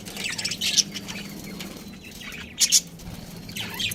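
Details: Pet budgerigar chirping: a few short, high, scratchy chirps in brief bursts spaced about a second apart, with quiet gaps between.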